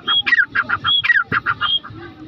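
Grey francolin calling: loud phrases repeated roughly every three-quarters of a second, each a high thin whistle followed by harsh, clucking notes.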